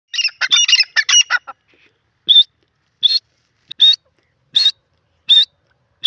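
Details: Grey francolin, known locally as teetar, opens with a rapid chattering burst of harsh notes, then gives loud high metallic calls repeated about every three-quarters of a second over a quiet background.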